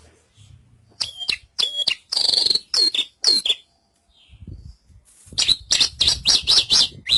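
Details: Javan bush lark singing in high, scratchy chirps and slurred notes, a quiet gap, then a fast run of bright repeated chips.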